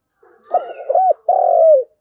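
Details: Spotted dove calling the flock: a short stuttering coo, then a long, level, hoarse note that slides down at its end, loud and clear with no other sounds.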